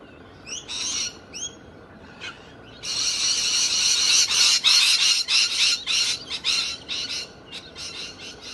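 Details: Loud Australian galahs, endemic to Australia: two short rising squeaks and a soft note, then a long run of loud, harsh, rasping screeches repeated rapidly.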